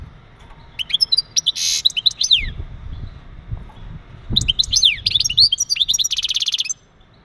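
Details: Male European goldfinch giving mating calls meant to stimulate a female for breeding: two bursts of bright, high twittering with rapid slurred notes and fast buzzy trills, separated by a quiet pause, low rumbling background noise.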